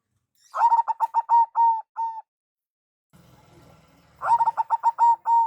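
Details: Lure call of a local zebra dove with a big voice. A run of quick staccato coos ends in two drawn-out notes. After a low rumbling pause, another rapid phrase of clipped, ringing coos follows.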